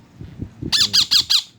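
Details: Rose-ringed parakeet calling out to a companion bird of another species: after faint low voices, four loud, harsh, grating squawks in quick succession, roughly one every 0.2 seconds.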